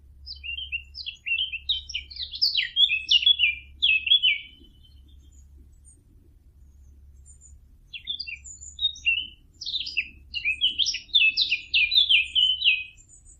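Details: Fig bird call serving as a hunting lure: two bursts of rapid, scratchy twittering, each several seconds of quick varied chirps, separated by a quiet gap of about three seconds.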